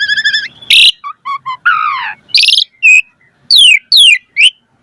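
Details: Asian pied starling used as a lure to stimulate singing, in the pumping-variation style. A nasal tone, a harsh squawk, triple clipped whistles, a falling buzzy glide, then several steep descending whistled sweeps.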